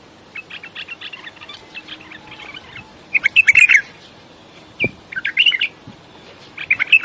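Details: Bulbul, named as a desert bulbul, with faint chattering at first, then louder bubbly chirped phrases in separate bursts, one short knock heard midway.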